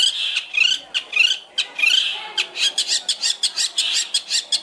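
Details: Long-tailed shrike training song with harsh, grating, buzzy notes repeated in quick succession, some rasping phrases and rhythmic scratchy pulses throughout, over a faint background hiss.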